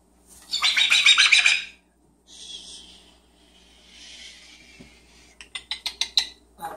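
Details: Pet yellow-naped amazon parrot at home: a harsh, raspy screech, then softer hissing breathy sounds, ending in a quick run of sharp clicking chirps while its owner calls it over.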